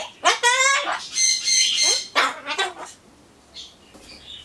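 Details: Pet Solomons corella kept indoors, talking to itself while waiting for pumpkin, with replies, mock singing of Happy Birthday, and cheers. Loud harmonic squawk-like phrases arrive in quick bursts, then fade to a few faint high notes.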